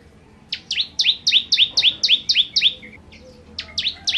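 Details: Energetic bar-winged prinia ('kristal' type) in 'nembak' song: a fast burst of about ten bright, descending whistled notes, each with a short lower echo note, a brief pause, then a fresh run starts.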